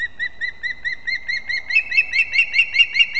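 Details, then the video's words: Competing osprey chicks at a nest in a leaning old pine, Kurzeme, Latvia, 11-9-24. Arched, whistled notes repeat rapidly and grow louder partway through, over a quiet rural background. "КОНКУРЕНЦІЯ МІЖ ПТАШЕНЯТАМИ СКОПА ГНІЗДО"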